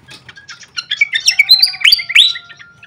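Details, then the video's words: Short flycatcher lure call from a training recording: quick high ticks build into loud, clear whistled notes that swoop upward and then fall, with a faint thin steady tone underneath. "suara pikat khas srikatan kipas"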